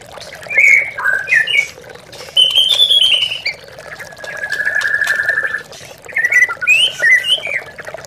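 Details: White-rumped shama song used as a lure recording to provoke captive birds that have stopped singing, with a trickling-water soundtrack. Clear whistled phrases and short slurred notes, including a long level whistle, over a steady low background hiss.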